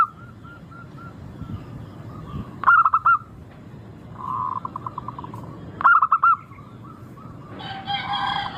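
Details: Local zebra dove song as a singing lure: soft trailing coos and two rapid bubbling phrases about three seconds apart, ending with a louder, harsher call from another bird.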